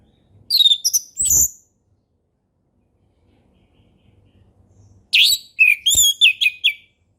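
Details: Orange-headed thrush in a forest setting, singing the relaxed ngeplong style used to tutor young birds: a burst of high, sliding whistled notes, a pause of several seconds with faint low hum, then a second rich, rapid phrase of varied chirps.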